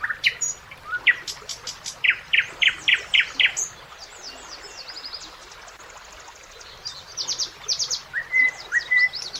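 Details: Common nightingale song on a summer evening by a river with ducks: varied phrases of rapid repeated notes, sharp chirps and a clear sustained whistle, with a brief lull of soft background noise between bursts.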